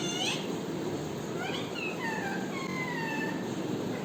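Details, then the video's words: ['Parrot uttering a brief sharp note, then several smooth descending harmonic calls in quick succession, with steady hiss in the background.'] "parrot original voice"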